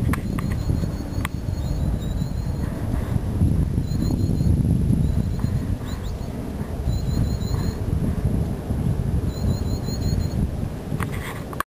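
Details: A common chiffchaff gives its 'tjiftjaf' call: short bursts of thin, high, evenly spaced notes, repeated every second or two, over heavy wind rumble.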